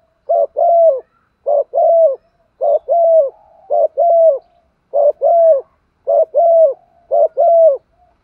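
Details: Spotted dove in the 'thổ pha đồng' voice, used to train decoys: rapid paired coos, a short hoot then a longer level one, repeated steadily about every second, clean and close.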